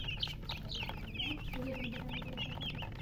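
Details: Several chicks chirping busily, sharp high-pitched peeps tumbling over one another in a dense, almost continuous chatter, with faint low hum underneath.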